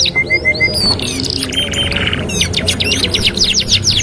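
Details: Canary singing as a master song for training: a few clear whistled notes and short rising slides, then buzzy trilling, ending in a fast run of sharp repeated chirps.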